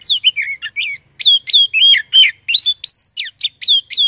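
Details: Oriental magpie-robin song meant to stir magpie-robins into singing: a steady, rich run of clear whistles, each sweeping down or up, delivered about three per second with short gaps and no other sounds.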